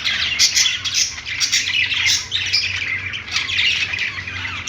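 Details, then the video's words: Parakeets singing on a perch in a pet store give harsh, squawky chatter mixed with rapid twitters, many birds calling at once without pause. "budgies singing on perch | parakeet chirping sounds in pet store"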